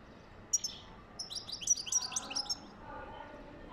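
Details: European goldfinch singing to stimulate mating: a quick, tinkling run of high twittering notes with liquid trills, lasting about two seconds before fading; faint lower background sounds follow.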